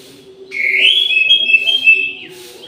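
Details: At midday inside an aviary, an orange-headed thrush gives a long clear whistle, sliding upward and then running steady with small warbles for nearly two seconds before stopping.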